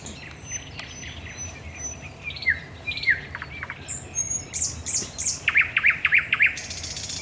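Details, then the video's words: Thrush nightingale at night at the Raszyn Ponds, Poland, 10 May 2021, building from quiet thin whistles and downslurred notes into a loud burst of rapid, regularly repeated hard clicks; steady low background hum throughout. "Nocny śpiew słowika rdzawego"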